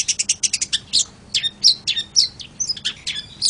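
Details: Long-tailed shrike (cendet) song opening with a quick series of evenly spaced high ticking notes, then breaking into irregular scratchy chirps and thin whistled slurs.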